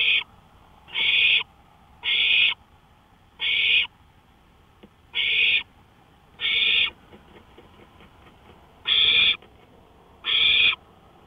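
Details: In the early hours of May 5, 2013, at 1:53 AM, an owl on a porch keeps up a series of eight harsh, hissing half-second screeches. They come at irregular intervals of one to two seconds, over a low background hiss.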